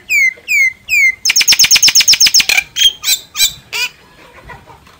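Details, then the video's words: Myna singing: three clear downslurred whistles, then a fast run of about a dozen sharp, evenly repeated high notes, ending in a few harsher, buzzy phrases that fade out. "Tiếng chim Sáo hót giọng chuẩn hay"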